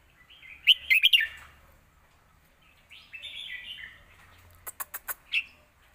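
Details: Caged red-whiskered bulbul performs a full-phrased scoring song for young birds to learn: an emphatic warbled burst, a softer slurred phrase, then sharp tapping clicks and a final short note.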